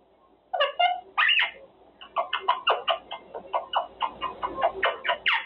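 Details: Male Quaker parrot having cage time and practicing his words, two squeaky speech-like phrases then a steady string of short raspy syllables roughly four per second.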